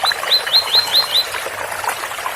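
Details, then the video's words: Tui-tui song of a double-collared seedeater, Ouro Fino style: five clear, rising whistled notes repeated about every fifth of a second, backed by soft trickling water. "Tui Tui especial coleiro Ouro Fino com som de bica"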